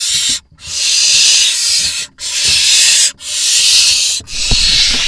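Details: Barn owls at a nest box camera in Israel on 4 July 2021, as parents drop off two voles to the nestlings less than two minutes apart. Harsh, broad hissing bursts, each about a second long, repeat with short gaps between them.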